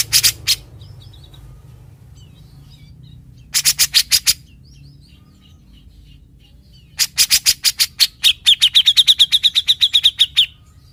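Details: Grey-cheeked bulbul song, prized as a reliable tutor for other songbirds and known for its characteristic besetan bursts: three volleys of sharp, harsh rapid notes, the last running into a fast, even trill held at one high pitch.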